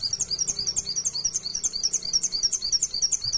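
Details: Mountain white-eye (pleci), a lively wild-type singer, delivering a dense, steady stream of high, squeaky chirps at about three per second in a fast lure song.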